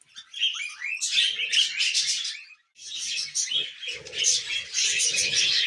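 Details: Pet budgerigars sounding happy: a few rising whistled notes open into dense, scratchy warbling, a short silence, then more continuous busy chatter with low murmuring underneath.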